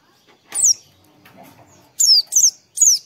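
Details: Oriental white-eye, a song played in the morning to encourage singing: high, sharp, downward-sweeping whistles, one and then a quick run of three, with faint softer sounds between them.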